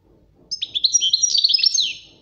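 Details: Training song of a European goldfinch: a loud, rapid run of liquid twittering and tinkling high notes, continuous for about one and a half seconds, with faint low rumble beneath.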